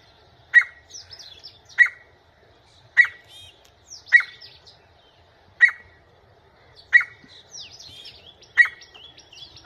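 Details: Grey francolin calling indoors, giving a loud, sharp, piercing note about every one and a quarter seconds, seven times in a row, with soft twittering of small birds above.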